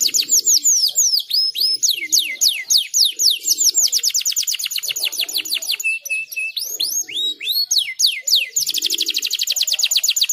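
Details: Canary singing energetically for over ten seconds: sweeping whistled notes, fast rolling trills, a brief steady tone and a final rapid high trill, delivered almost without pause.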